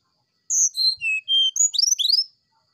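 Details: Brown-chested jungle flycatcher singing in the morning: long sustained whistles stepping downward, then a rapid flurry of sharply rising upslurred whistles, clear and flute-like.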